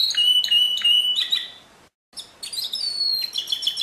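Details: Pure canary song, 2016: evenly spaced repeated chirps with a bell-like ring, a brief silence, then a long level whistle and quick trilled notes.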